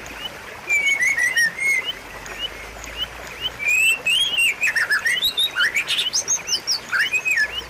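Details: White-rumped shama singing a varied series of clear whistles, slurred upward and downward, with louder rapid phrases in the second half, used as a master recording to prompt a silent caged bird.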